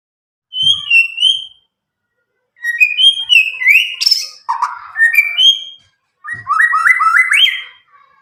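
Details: White-rumped shama from Medan, about nine months old, just past its speckled juvenile stage, singing without tutoring; loud clear whistled phrases, some sliding, others in quick stepped runs, separated by short pauses.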